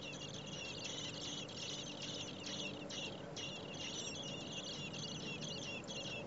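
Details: Four common blackbird nestlings in a nest being fed by both parents in heat above 30 °C; a dense, continuous chorus of high, thin, rapid begging squeaks with brief louder surges, over steady low background hum.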